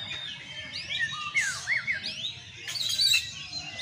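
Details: White-rumped shama sunning in its cage gives a short run of clear, looping whistled notes broken by two harsh, buzzy bursts.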